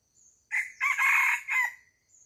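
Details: Chicken on a farm crowing once: a short opening note, a long, loud, sustained middle section, then a brief falling final note, all within about a second and a half. Faint, thin high chirps sound before and after.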